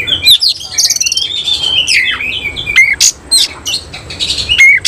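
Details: An oriental magpie-robin, semi cililin type, delivers a bursting nembak song with its tail spread open (ngobra). Long gliding whistled phrases alternate with sharp clicks and scratchy bursts, and there are short gaps between phrases.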